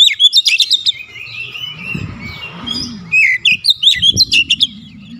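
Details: Oriental magpie-robin giving a full, vigorous song meant to calm stressed birds and spur singing: bursts of sharp high chirps and whistled notes, then a soft rising-falling warble, then more quick chirps; faint low hum beneath.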